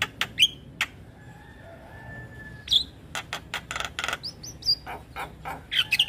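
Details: Javan myna singing a lively full song meant to lure other mynas into responding: sharp whistled notes near the start and end, broadband harsh rasping bursts in the middle, a thin steady tone, gaps of quiet between phrases.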